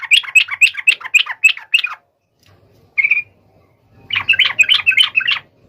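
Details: Yellow-vented bulbul singing to challenge a rival: an even run of about eight sharp chattering notes, a lone note after a pause, then a dense bubbly burst.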